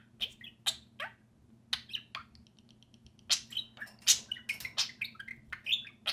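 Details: Two pet budgerigars playing and talking outside their cage, giving a busy run of sharp chirps, warbles and short rapid ticking notes, with a faint steady hum underneath.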